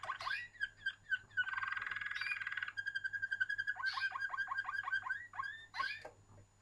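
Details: Waterslager canary song: rapid bubbling trills and rolling tours, a long buzzy rattled passage, then chopped water-like notes and whistled phrases, with a steady low hum underneath.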